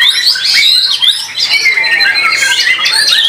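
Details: Caged white-rumped shama performing in a singing competition, praised for its melodic rhythm, power and long working duration; loud whistled phrases and sweeping notes tumble continuously, overlapped by other competing songbirds.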